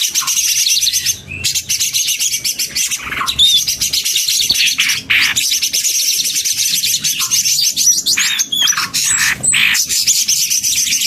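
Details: Mixed male and female leafbirds sing in chorus with steady, dense high-pitched twittering and trills, broken by occasional loud sharp notes and short whistles.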